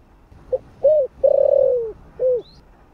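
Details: Spotted dove calling in the 'thổ' voice, for luring wild doves: four-part low coo phrase, with a brief lead-in, a rounded note, a long pulsing drawn-out coo that sinks in pitch, and a short final note.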